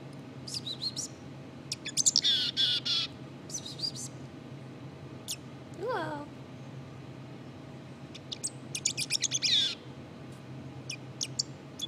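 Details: Quiet subsong of a black-capped chickadee, loose clusters of high chips and short buzzy bursts coming and going irregularly, with one lower rising, slurred sound in the middle and a faint background hum.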